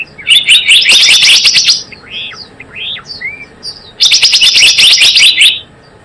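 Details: Java sparrow lure call for trapping: a long fast chirping burst, then a quieter stretch of arched slurred notes, followed by a second rapid run of sharp chirps.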